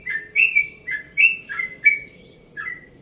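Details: Yellow-vented bulbul, 1.5 years old, from Bekasi, singing its rapid 'ropel' song in a relaxed tone at dawn: clear whistled notes near two to three kilohertz, some rising and some falling, in bursts about every half second, with a faint background hum.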